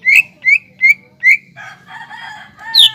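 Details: Greater green leafbird song played as a lure to stir other leafbirds into singing: four loud clear whistled notes near the start, then a rich warbling phrase and a final high upslurred whistle.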